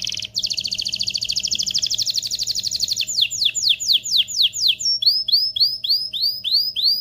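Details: Canary singing to prompt mating in males and females: a long rapid high trill, then slower sweeping downslurred notes, followed by a series of arched whistled notes repeated about four per second.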